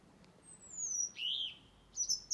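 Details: Birds singing in a garden tree, Blackrock, Dublin, in November: a long, very high, thin descending whistle, a lower warbled phrase, then a short high flourish.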